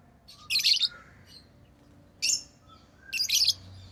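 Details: Lovebirds kept as pets give three loud, grating chirp bursts, each a rapid cluster of shrill notes about half a second long, spaced roughly one and a half seconds apart against quiet indoor background.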